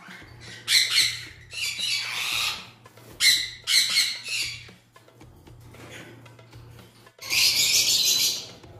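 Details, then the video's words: Grey Indian ringneck parakeet gives harsh, high, raspy screeches in bursts of about a second, with quieter gaps and a faint low hum between calls. "Grey ringneck parrot | Indian ringneck parrot"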